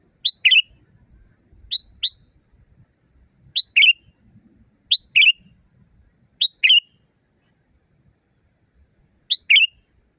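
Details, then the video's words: A sooty-headed bulbul sings loudly, recorded wild as a training recording for cage birds. Six short, bubbly double-note phrases come roughly every one to two seconds, crisp and whistled, in quiet surroundings. "Masteran burung kutilang di tempat raja kutilang. Suara keras fulll alam"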